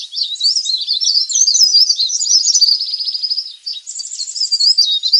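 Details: Leaf warbler calls used as a lure for wild birds. Continuous high, busy chatter of wavering whistles and fast buzzy trill runs, with a brief dip mid-way before bright rattling phrases resume.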